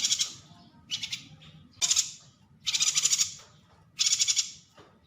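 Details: Yuhina uttering a series of rasping, buzzy pulsed bursts, five in about five seconds, some short and some drawn out, with a soft low-pitched background hum.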